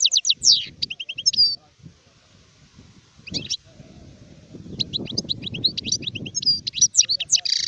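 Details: Adult European goldfinch (sharif) song in bursts: quick twittering phrases, a pause with faint background sounds, then renewed lively chirps and sliding whistles.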